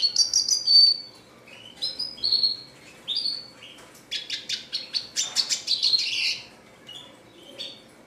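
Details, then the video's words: A red siskin sings in phrases of sharp high chirps and slurred whistles. A rapid buzzy rattle of repeated notes follows, then short falling whistles, with brief quiet gaps between bursts. "RED SISKIN CLASICC MEWAH GACOR"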